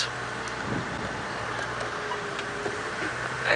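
Steady engine hum and broadband vehicle noise with a faint murmur of speech, and no animal calls.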